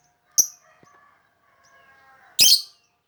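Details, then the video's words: Melodious lovebird lure call: a sharp high tweet opens, faint low murmurs follow, then a loud shrill raspy chirp burst near the end. "Mancing suara burung lovebird yang merdu"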